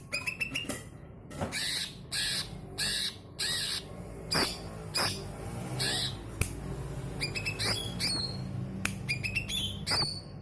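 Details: Greater green leafbird in full voice, used to trigger singing in others: a long string of harsh, buzzy squawks repeated roughly every half second, broken by brief clusters of bright whistled notes, against a constant low hum.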